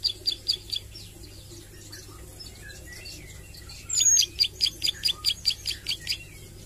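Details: Ciblek sawah, or Plain Prinia, practising its song and sharp 'nembak' phrases: a short run of high ticks, a pause of quiet scratchy notes, then a louder, quick series of about a dozen high chips.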